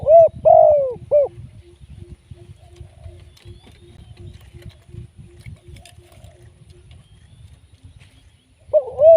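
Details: Spotted dove used as a live decoy for trapping, giving loud, husky, bending coos at the start and again at the end. A long steady run of soft, low, rapid pulsing notes fills the middle.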